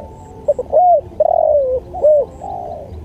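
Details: Spotted dove delivering a mellow coo phrase for training: two quick clipped notes, a rounded coo, a long sliding falling coo, then another rounded note, with faint high chirps above.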